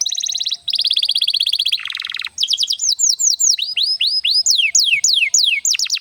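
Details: Canary singing to stimulate other canaries: buzzy rolling trills, a lower harsh rattle, then a string of rising and falling slurred whistles repeated in quick succession, clear and loud.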